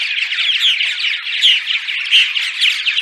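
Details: Purple martins giving dawn song to lure martins to nest sites. Busy overlapping chirps with a few clearer whistled notes standing out, delivered quickly and continuously by more than one bird.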